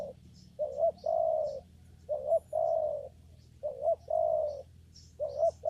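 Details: Repeated cooing of a spotted dove at a papaya garden trapping site: four phrases, each a short upturned note run into a long steady coo, roughly every one and a half seconds, with faint chirping of other birds.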